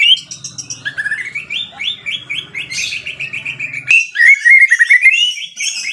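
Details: White-rumped shama singing a run of repeated, slightly buzzy whistled notes that step gradually downward, then a brighter rising warbled passage, with a faint low hum underneath.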